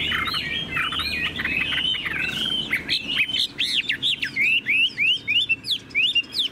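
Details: Caged Chinese hwamei, a tame bird, pouring out continuous song: a dense jumble of rich warbled phrases that gives way to clear separate looping whistles repeated about every two thirds of a second.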